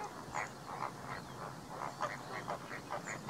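Greater flamingos give a steady chatter of short, nasal, goose-like honks, several overlapping birds calling two or three times a second, over a dull background murmur.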